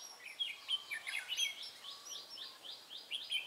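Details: Caged red-whiskered bulbul used as a trapping decoy, 23 March 2018; fast, scratchy warbled notes followed by a run of repeated sharp downslurred chips, with faint outdoor background noise.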